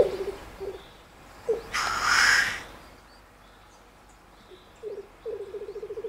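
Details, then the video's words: Lekking black grouse cock in Germany's Bavarian Forest: brief low bubbling phrases, then a loud breathy hissing sneeze lasting about a second, followed by a renewed run of rapid cooing pulses. "Birkhahn (Lyrurus tetrix oder auch Tetrao tetrix) balzt im Bayerischen Wald"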